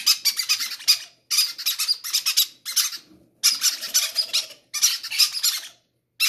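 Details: Baby parrots begging to be fed first, indoors; rapid pulsing, raspy, hissing cries in bursts about a second long, repeated after brief gaps.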